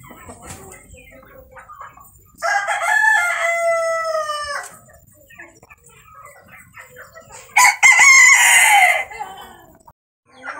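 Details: Two rooster crows from a Brazilian breeder's flock, each a loud harmonic cry of about two seconds, the first steady and banded, the second harsher and brighter, with quiet background rustling between.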